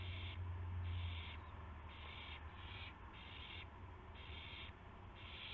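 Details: Early morning, 26 March 2016, owls with gopher and mouse prey; coarse hissing bursts repeat in an uneven rhythm, some longer and some clipped, against a droning low background.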